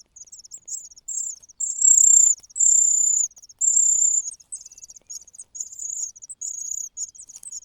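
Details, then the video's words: Hungry cuckoo chick begging loudly while the host's own chicks are already full: high, thin, buzzy squeals in long drawn bursts of up to a second, broken by rapid ticking chirps. "The natural chicks are full, while the cuckoo cries loudly out of hunger.亲生的小鸟都吃饱了，杜鹃鸟饿得吱吱叫"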